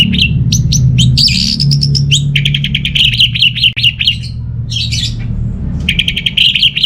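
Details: Sustained, busy singing from an orange-headed thrush in Singaraja, Bali: dense repeated chattering notes and clear whistles packed together almost without pause, over a steady low rumble.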